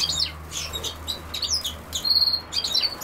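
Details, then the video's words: European goldfinch at common sowthistle giving bright, high twittering notes and a sustained thin buzzy whistle, over a faint low steady hum. "Carduelis Carduelis"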